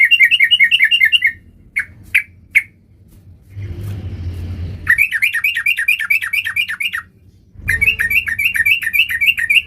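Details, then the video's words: Sooty-headed bulbul singing in lively 'gacor' full-variation style: bursts of rapid downslurred chirps, about three per second, broken by pauses and a few single notes, with a low rumbling noise in a gap. "Burung Trucuk Gacor Full Fariasi"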